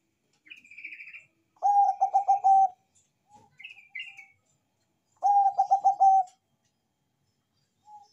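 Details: Bangkok-type zebra dove, praised for a big, loud voice and for singing freely, delivers two loud stuttering cooing phrases, each a quick run of pulsed low coos about a second long, with softer, higher chirping notes in between.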